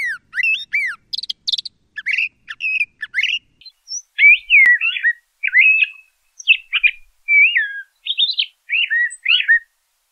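LeConte's thrasher singing a varied run of short whistled and slurred phrases, mostly mid-high pitched, delivered in quick succession with brief pauses between.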